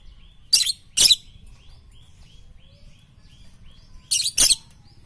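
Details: Lovebird tutor recording for morning, noon and night, with paired harsh, high screeches at the start and again near the end, and soft whistled notes from other birds in between.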